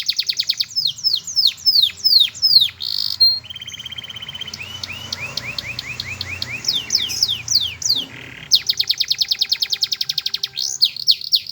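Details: Canary singing: fast series of sharp, high downward-sweeping whistles, then a lower run of short repeated notes, followed by very rapid buzzy trills and more falling whistles, with abrupt breaks between phrases.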